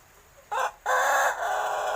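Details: A roughly six-month-old Pelung rooster, a young bird still learning to crow, gives a short loud note, a brief pause, then a longer harsh sustained crow that trails off, clear and close.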